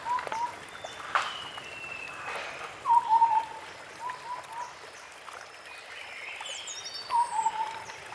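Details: A White-browed scimitar babbler in forest gives short bursts of low, bubbly hooting notes every few seconds, with thin high whistles from other birds behind.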